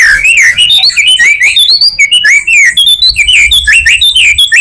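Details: White-rumped shama delivering a continuous rich song as a lure for other shamas: rapid looping whistled notes swooping up and down without pause, loud and clear.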